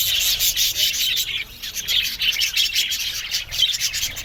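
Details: Budgerigars in an aviary colony, a dense overlapping chatter of high chirps and warbles, with a scratchy, rubbing texture throughout.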